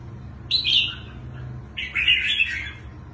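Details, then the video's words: Wild-caught red-whiskered bulbul prized for its twisting voice gives two short, warbled, slurred phrases about a second apart over a steady low background hum. "Chú chim bổi giọng xoắn hay"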